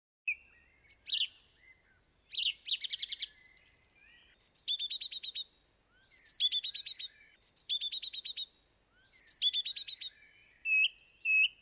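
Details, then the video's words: Song thrush singing a long sequence of varied phrases, rapid rattling repeated notes in bursts with short gaps, ending in two clear whistled notes, loud and close with no background sounds. "Song Thrush - Bird Song"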